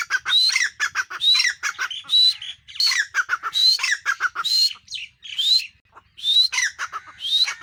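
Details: Female grey francolin giving its call, a rising whistled note followed by rapid chattering notes, repeated in a loud, continuous sequence about once a second.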